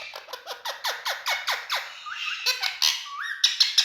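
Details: Big male Indian ringneck parakeets kept as talking birds give a quick series of falling, giggle-like notes, then rising whistles and a few sharp high clicks.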